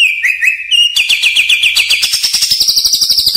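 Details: Lure sound of a greater green leafbird for training birds: wavering whistles, then a loud rapid trill of repeated notes rising steadily in pitch.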